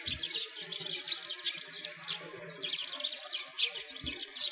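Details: Chorus of sparrows during a winter walk around a frozen lake in a Moscow park, Russia: continuous busy chirping from many birds, high rapid tweets overlapping throughout, with a couple of dull low knocks.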